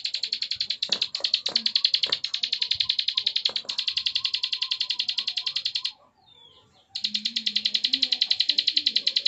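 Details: Bar-winged prinia (ciblek sawah) in continuous 'ngebren' trilling, kept as a tutor song: a dense, rapid, even buzzy trill broken by one short pause, over soft low voices and indoor rustling.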